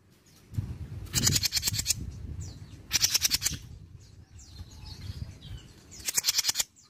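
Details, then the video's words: Mini jenggot bird from Indonesia, a lure to provoke other birds to sing. Three separate bursts of fast, grating, high chatter, each lasting under a second, with low rumbling noise between them. "PANCINGAN JENGGOT MINI BAHAN LANGSUNG NYAUT || JENGGOT MINI GACOR"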